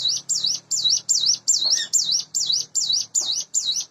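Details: In the morning a hand-reared caged sunda bush warbler, aged about eight months, repeats loud wavy high whistles roughly two and a half per second, over a low background hum.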